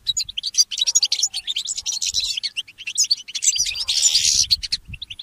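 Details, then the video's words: A goldfinch mule sings in the morning: a busy, high twitter of clipped chirps and trills, rising into a harsh buzzy passage near the end before a few last notes. "The inspiring Motif of the Mule Goldfinch"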